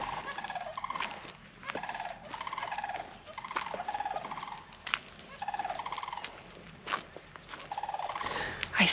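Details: One or more sandhill cranes at an unclear distance, heard from a campsite on Wyoming state land just outside Saratoga, give rolling, trumpeting rattles in bursts of about a second, repeated every one to two seconds, with faint outdoor rustling.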